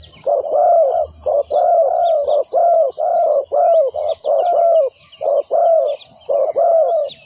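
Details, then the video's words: Spotted dove kept as a decoy to call in wild doves delivers loud, rapid cooing, short and long low notes running almost without pause, backed by a steady insect chorus. "chim cu mồi gáy gọi bổi"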